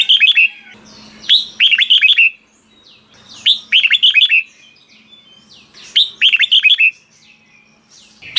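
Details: Red-whiskered bulbul from Thailand, 'bearn' style song for stirring up caged birds: four evenly spaced phrases of five or six bright, bubbling whistles, each roughly every two and a half seconds, with a faint low hum behind.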